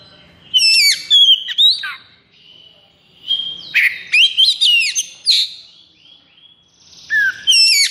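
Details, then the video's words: Oriental magpie-robin in high breeding condition ('konslet') gives repeated bursts of loud whistled notes, rapid chips and descending slurs. Short gaps separate each phrase. "KACER KONSLET!"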